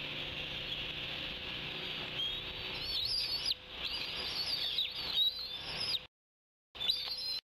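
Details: Young bald eaglet on the Decorah nest, 16 June 2010 around midday, squeeing with thin, high, rising and falling whistles over a steady hiss while wing-wrestling a sibling over a fish the father delivered; a brief silence near the end.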